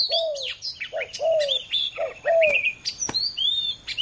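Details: Two male spotted doves competing with each other: low, arched cooing notes in quick short phrases, mixed with frequent high, sharp chirps and twitters from other small birds.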